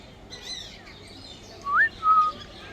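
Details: Grey parrot whistling and making sweet sounds: faint chirpy warbles early on, then a loud short whistle sliding upward, followed by a steady level whistle held for about a third of a second.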